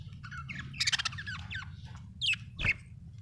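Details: Happy budgerigar chattering: rapid buzzy warbles and squawky notes run together, then two sharp clear chirps near the end, over a constant low background hum.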